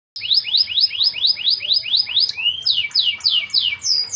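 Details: Canary song: a fast string of high, clear upslurred whistles repeated about three per second, then a lower rising note and a second series of sweeping trills, with faint low hum beneath.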